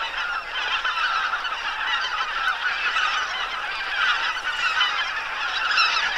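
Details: Massed calling from some 2000 geese gathered on a lake in late autumn, largely greater white-fronted geese and bean geese with scattered barnacle geese; continuous, rippling chorus of overlapping honks, swelling and easing slightly throughout.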